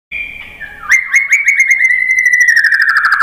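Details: White-rumped shama song used as a lure to provoke other birds into singing: a soft whistled lead-in, then a sustained steady whistle overlaid with a fast rattling trill. The trill holds level, then drifts slightly lower toward the end.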